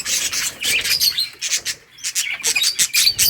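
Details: Colony budgies playing, August 25, 2023: a quick series of raspy, high chirps in short bursts, with a brief lull midway before the chatter resumes.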